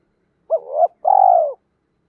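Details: Spotted dove, 'thổ pha' voice, calling females and provoking rivals: a two-part coo with a sharp onset and swelling second half, followed by a sustained vibrating purr that falls at its end.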